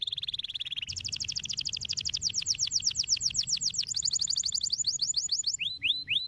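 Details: Canary song played to stimulate other canaries to sing: a steady high whistle-like roll gives way to a long, rapid trill of repeated notes, about four per second, then shifts to a faster trill and ends in separate rising slurred notes.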